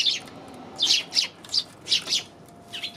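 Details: Eurasian tree sparrow on January 27 chirping in short, sharp notes spaced roughly every third of a second, some doubled, over faint low background hiss.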